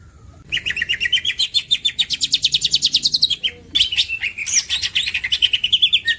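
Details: Green leafbird, a champion masteran singer: a rapid chattering trill slightly falling in pitch, a brief gap, then another bright run of quick varied notes.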